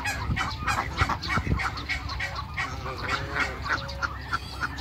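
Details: Farmyard gathering of African geese and Muscovy ducks. Rapid overlapping honks, several per second, rise and fall unevenly against constant low-pitched background noise.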